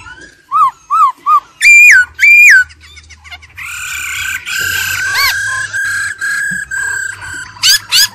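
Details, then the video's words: Song from an old wild-caught laughingthrush with a female trilling: three short arched notes, two loud long upswept whistles, then a dense jumble of varied notes and closing sharp upward strokes. "GIỌNG KHƯỚU già rừng, kích bổi căng lửa, khướu mái ro ro"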